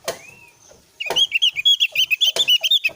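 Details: Oriental white-eye (opior) singing as a lure so that raw Javan white-eyes will join in. After a slurred whistle and a pause, a fast string of sweet, high, chattering notes runs without a break. Faint knocks sound under it.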